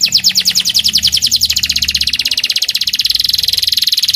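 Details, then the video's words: Young local canary sunning in the morning, singing a strong rapid trill that changes into a higher, faster buzzy rattle of repeated notes, steady throughout. "RIWIKAN KENARI LOKAL DI PAGI HARI"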